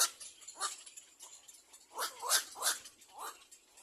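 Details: Baby little black cormorants begging as they wait for their mother to bring food, giving loud rasping, wheezy cries in uneven bursts, roughly six over four seconds, with a faint high hiss behind.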